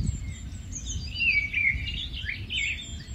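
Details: Migratory rufous-tailed scrub robin delivering a sweet, slurred, descending warble followed by shorter twittering notes, with distant high-pitched calls of other birds and a steady low outdoor rumble.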